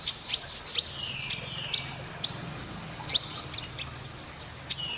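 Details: Canary singing in the gesekan konin style: scattered sharp high chirps and quick downslurred whistles, separated by short pauses, over a faint low hum.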